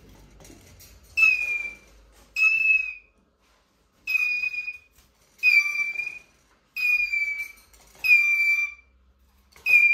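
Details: Eurasian jay squeaking plaintively: six clear, drawn-out whistled squeals, each sliding slightly downward, spaced about one to two seconds apart. Faint low rumble underneath.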